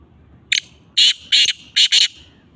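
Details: A captive black francolin (Francolinus francolinus) calls on 21 December 2022, in very cold, rainy weather: one short rasping note, then two quick pairs of loud, scratchy, grating notes, over a quiet background.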